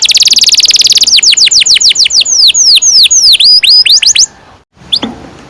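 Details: Singing canary, a long-rolling recording meant to teach young canaries: a very fast high trill, then a run of slower, clear downward-sweeping whistles, ending abruptly in near-silence with a faint click.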